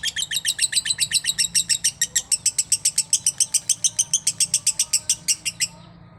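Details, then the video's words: A lovebird chatters in a long steady run of bright, clipped chirps, about four a second, stopping abruptly before the end with quiet room hum left. "Love bird VIRAL" Masteran Love bird konslet""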